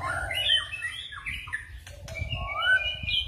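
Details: White-rumped shama singing 'forest voice' style with changing voice; short clear whistled phrases, then a click and a long upslurred whistle ending in higher notes, over low rumbling background.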